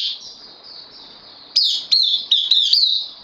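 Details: On 12 September 2020 a newly loaned caged bulbul breaks a short silence with five quick, sharp falling notes, a shrill continuous hum in the background.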